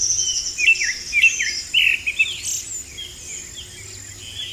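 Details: Wild vermilion flycatcher song: a run of sharp, bright chirps and short rising slurs in the first half, trailing off into softer notes, over a continuous high-pitched insect buzz.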